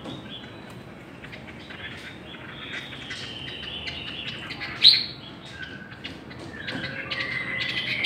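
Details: Singing-contest Chinese hwamei: quiet, thin high whistles and chirps building up, a sudden loud sharp note midway, then clearer rising and falling whistled phrases at the end.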